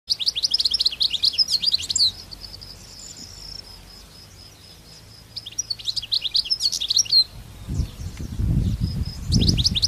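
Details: Wild European goldfinch singing in open country: bursts of rapid, tinkling, twittering high notes lasting about two seconds each, separated by pauses with a thin sustained tone, with low rumbling handling or wind noise near the end.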